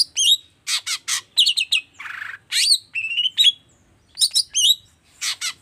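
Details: Long-tailed shrike singing, played as a lure to prompt other shrikes to sing: rapid bursts of harsh, chattering notes with sharp upslurred whistles and a short buzzy rasp, delivered in quick clusters with brief pauses.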